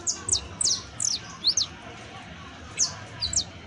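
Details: Saffron finch, a professional-singing canario criollo, uttering loud, clear, high twisting and downslurred chirps in short groups separated by a pause of about a second, on a quiet background.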